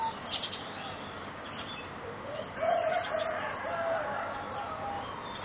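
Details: Four young singing zebra doves of a competition breeding line, about three and a half to four months old; quiet stretch, then a brief burst of mellow, stuttering coos in quick succession midway through, with background hiss.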